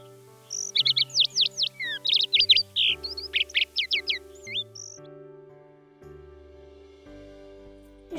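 A skylark pours out a fast run of high, twittering and trilled notes for about four seconds over steady background music.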